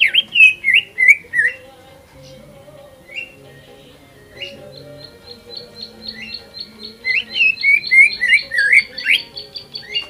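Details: Greater green leafbird lure song used to provoke other birds into singing. Rapid, sliding whistled phrases are followed by a steady series of short, high repeated notes. A second burst of slurred whistles comes near the end, with a faint low hum beneath.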